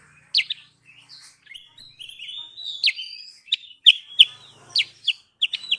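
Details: Sooty-headed bulbul, called kutilang sutra, in a lure recording used for bird trapping: sharp, high chirps and short whistled slurs in uneven bursts, with brief buzzy strokes between notes.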